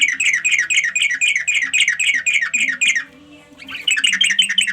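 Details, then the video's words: Sooty-headed bulbul calling companions with rapid, buzzy, chattering notes, about four per second. The series pauses for a moment of near quiet, then starts again. "suara trucuk panggil kawan"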